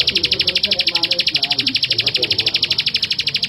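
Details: Male bar-winged prinia in steady song: sharp, buzzy chips repeated quickly and very regularly, about three each second, with soft low murmuring underneath.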